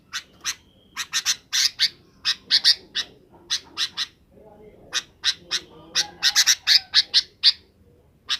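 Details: Sooty-headed bulbul in the afternoon, calling its companions to roost: rapid, scratchy chirps delivered in clustered bursts, loud and squawky, with a faint low hum underneath.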